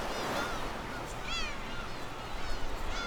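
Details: Black-tailed gulls on Dokdo island in breeding season, nest-guarding birds attacking intruders and fighting over territory; harsh, nasal mewing calls, several overlapping in bursts over a steady noisy background rumble.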